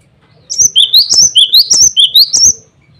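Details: Male cinereous tit calling rivals and females in full song, used as a lure for other birds; a fast, even series of about eight piercing, high, upswept two-part whistles lasting two seconds.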